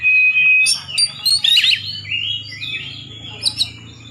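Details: Competition Oriental magpie-robin (poci type) singing to unsettle rival birds: a long steady whistle, then fast chattering, tumbling notes and sliding phrases over a constant low hum.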